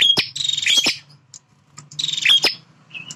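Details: Male bar-winged prinia defending territory, giving two loud rasping, buzzy phrases about two seconds apart, each led by a brief whistle, with soft chirps between and a faint low hum underneath.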